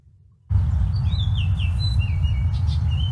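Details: Baltimore Oriole singing from high in the treetops in the distance gives a quick run of clear, sliding whistled notes over about two seconds, with a harsh oriole call note, above a heavy, steady low rumble of wind or handling noise.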